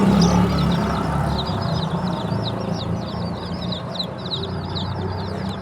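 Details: Many baby chickens peeping in quick, overlapping runs of high downslurred chirps, with a low humming, engine-like background.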